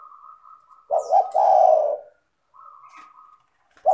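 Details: Spotted dove song meant to lure other doves into singing, clear and melodious: two quick coos then a long warbling coo, over a steady thin whistled tone heard before and after the phrase.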